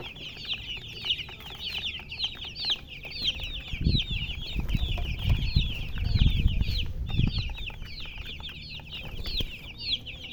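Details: Chicks cheeping nonstop as a flock, dense high downward-sweeping peeps, while low rumbling thumps and handling noise rise in the middle of the recording.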